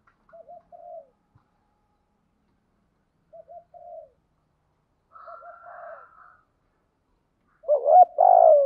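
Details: Caged decoy spotted dove cooing to lure wild birds: repeated soft, clipped low coos in small clusters spaced a few seconds apart, ending with a loud, rich, drawn-out coo; otherwise quiet.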